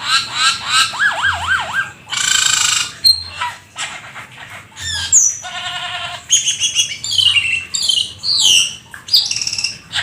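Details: Gacor full isian song from a jalak keling, the black-winged starling: wavering warbled whistles, harsh noisy bursts, a steady buzzy trill and scattered high chirps, delivered almost without pause.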